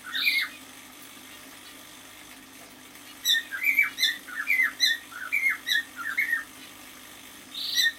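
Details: Half-year-old male cockatiel singing indoors: one brief chirp, a silent gap, then a run of quick whistled warbling notes, about one a second, rising and falling, ending with a sharper squeak.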